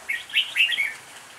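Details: Red-whiskered bulbul singing an improvised song: a loud, quick run of four or five rich, warbling whistled notes that rise and fall, close and clear against quiet background hiss.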